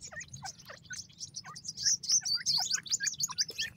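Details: Several grey francolin chicks peeping loudly, their sharp high chirps overlapping rapidly, some notes dropping in pitch, with the chorus rising in volume midway; a soft low hum runs underneath.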